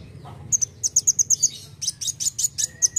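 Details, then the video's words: A Van Hasselt's sunbird calls in full voice, a fast series of thin, very high, sharp chips about eight per second with a brief pause in the middle, in a quiet background; used as a lure for songbirds. "KOLIBRI WULUNG GACOR NEMBAK NEMBAK"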